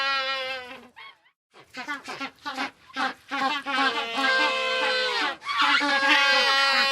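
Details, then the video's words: Several penguins giving loud, donkey-like brays: a held nasal note, a short gap, then rapid stuttering pulses building into long overlapping harmonic brays from a group. "Group Of Penguins Sound Effect"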